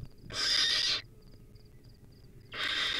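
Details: Nest-cam recording of a wild baby barn owl eating a rodent: one long harsh rasping hiss, a pause of about a second and a half with faint high ticks, then a second hiss begins.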